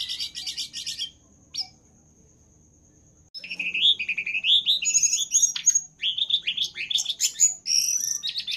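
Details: Lively Jongkangan song meant for tutoring captive birds: a quick chattering burst, then a long near-silent pause with a thin steady tone, followed by rapid rising and falling whistled phrases and sharp chirps.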